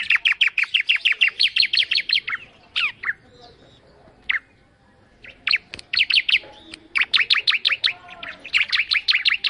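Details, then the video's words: A bar-winged prinia sings energetically and melodiously. Long, fast series of high, sharp chirps are broken by a quieter pause with a few single slurred notes, then the rapid chirping resumes. "Suara Burung Ciblek Mendayu Auto Gacor"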